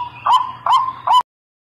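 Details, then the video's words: Lure recording of a White-breasted waterhen: three short, upward-hooking notes about half a second apart over a steady tone, then an abrupt cut to silence. "Suara memikat burung Wak Wak"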